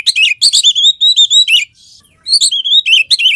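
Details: Caged Oriental magpie-robin (kacer) sings loud, varied whistles: rich rising and falling notes mixed with quick chattering phrases, broken by one short pause.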